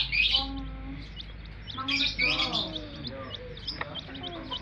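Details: Chicks chirping in bright, high, quick bursts of rising and falling peeps, loudest at the start and again after two seconds, mixed with a human voice talking nearby.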